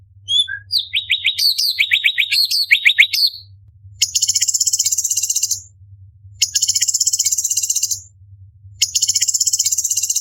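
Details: Orange-bellied leafbird, a competition master bird, delivering sharp 'tembakan' song: a rapid run of varied whistled notes and sweeping slurs, then three bursts of dense, buzzy, high rattling trills about two seconds each, over a low steady hum.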